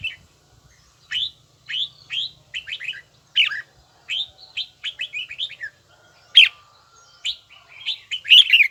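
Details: Red-whiskered bulbul training an evenly paced, bell-toned song; a steady series of bright whistled notes, often in pairs and triplets, ends in a denser, more excited warble.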